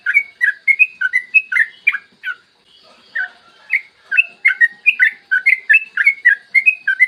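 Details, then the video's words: Trucukan or yellow-vented bulbul singing a long rolling morning song meant to prompt other bulbuls to sing: quick liquid whistled phrases, chattering runs broken by a short quiet gap, then resuming briskly. "Masteran trucukan gacor ropel panjang cocok buat pancingan trucukan agar cepat bunyi dan ropel"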